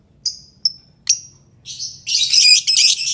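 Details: Albino lovebird calling with three spaced high, thin chirps that build into continuous rapid, shrill, grating chatter.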